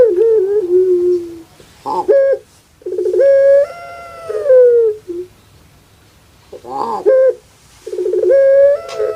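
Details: Caged puter pelung (Barbary dove) kept in Java, Indonesia, with a voice likened to a crying baby: long, drawn, nasal coos, each with a short bubbling stutter, then a sustained tone that slides downward, repeated with pauses.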